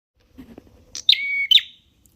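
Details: Prinia (red prenjak) song: a few soft low notes, then a sharp high chip leading into a long, steady whistled tone, closed by another sharp chip, in a quiet setting.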